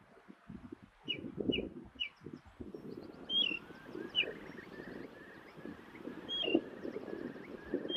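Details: In the Durham dales, a ring ouzel calls with short piping notes repeated about every half second to second, some sharper and slurred, against continual low rumbling and faint softer sweeping notes.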